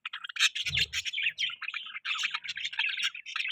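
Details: Budgies chirping in a lively, twittering stream of short notes and buzzy squeaks, almost unbroken for three and a half seconds, with a brief low rumble near the start.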